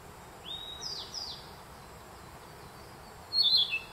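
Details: Narcissus flycatcher singing in spring forest at Myojin, Kamikochi, Japan, June 2021: a few thin, high, rising whistled slurs, then a pause and a louder, quick, complex twittering phrase near the end, over faint steady background hiss.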